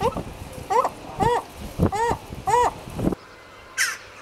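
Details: Herring gull calling in the breeding colony: about four harsh, nasal, downslurred yelps roughly half a second apart, followed by a short quiet gap and a brief rustle.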